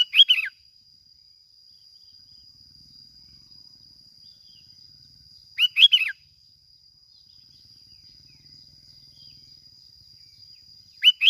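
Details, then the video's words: Plain-backed sparrow from Bình Thuận, Vietnam, recorded for use as a lure: three short bursts of bright, warbled chirps roughly every five and a half seconds, above a steady high electronic whine. "tiếng chim bông lau kít bổi"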